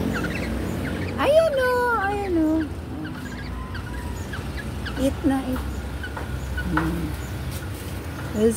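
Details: A wild kikiyaw (kilyawan) kept as a new pet gives a loud whistled call that rises, wavers and slides downward, then a few short notes, over soft music and a low hum. The bird had come to the roof one morning and was caught; it now eats rice.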